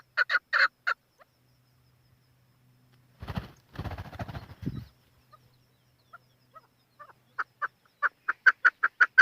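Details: Chukar partridge giving short bursts of repeated clucking chuck notes at the start and end. A rough, rustling noise fills the middle, and a steady run of notes builds again at the close.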